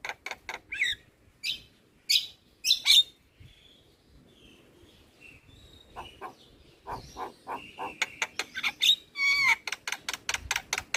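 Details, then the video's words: Javan myna, a chatty bird singing: sharp clicks and rasping notes, soft thin whistles, then a fast train of clicks with squeaky whistled slurs. "Jalak kebo Super Cerewet Tak henti Bunyi Bikin Burung Lain Ikut Gacor"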